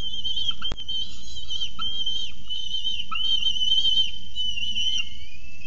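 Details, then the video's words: Very hungry falcon chicks demanding dinner at Orange on 26 October 2018: a continuous high, thin, wavering whistled wail, sustained throughout with small dips, plus a few short lower notes and one sharp click. "BARDZO GŁODNE PISKLAKI , DOMAGAJĄ SIĘ KOLACJI ~ SOKOŁY"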